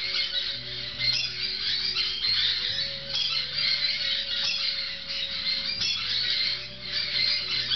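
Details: Six-week-old grey-cheeked parakeet chicks munching fresh food give a continuous harsh, high squawking chatter, several voices overlapping without pause; a low steady hum runs underneath.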